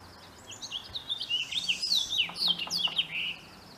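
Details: Male house finch singing in spring mating season: a lively, jumbled warble of high twittering notes, slurred up and down, rising to a burst of fast chirps midway and ending in a buzzy slur.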